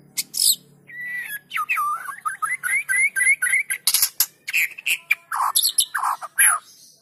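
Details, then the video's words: White-rumped shama singing energetically as a trigger for reluctant birds: a long series of quick rising whistled notes climbing in steps, followed by harsh clicks and lower scratchy chattering notes. "PANCINGAN MURAI BATU GACOR!! Murau Batu Malas Akan segera ikut Gacor"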